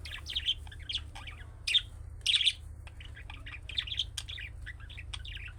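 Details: Chirping budgerigars making the chick-like calling sounds that pet budgies respond to, bright high chirps in short bursts, some loud and clipped, interspersed with softer twittering and a constant low hum.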